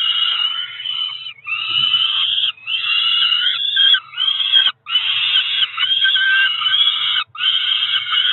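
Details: Peregrine falcon chicks about four weeks old, two young at a Cromer nest on 2 June 2023, crying for food: continuous harsh screeching wails with rising and bending notes, interrupted by a few short gaps.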